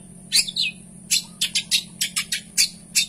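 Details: Caged long-tailed shrike (cendet) singing vigorously with rich mimicked filler phrases: sharp high chirps and a falling whistled slur, then a run of short bright notes at quarter-second intervals over a low steady hum.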